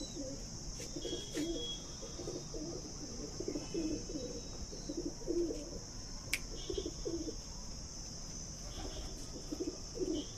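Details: Captive Punjabi pigeons in Najafgarh, Delhi, cooing almost nonstop in low, burbling phrases repeated every second or so, with a sudden sharp tap midway and constant electrical hum.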